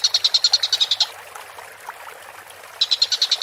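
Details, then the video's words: Collared kingfisher in a bird training recording: a one-second burst of rapid, harsh, evenly spaced kek notes, a short quiet gap, then a second quick burst of the same grating chatter. "MASTERAN BURUNG TENGKEK BUTO GACOR"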